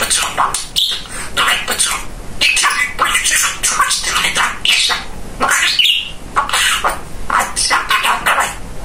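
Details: Talkative pet male budgerigar chattering nonstop indoors: fast, scratchy, speech-like babble mixed with chirps and warbles, a few high squeaks.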